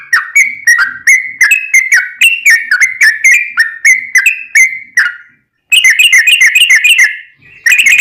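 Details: Sooty-headed bulbul singing to provoke other bulbuls into reply: a long run of whistled notes that slide downward, repeated about three per second, a brief pause, then a fast rattling trill of high notes.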